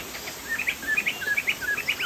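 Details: Sumatran crested laughingthrush in full song: quick, bright chirping notes that rise and fall, delivered in rapid pairs and triplets over a short burst, with faint background hiss.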